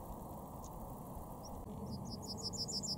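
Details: Yellowhammer (Emberiza citrinella), song.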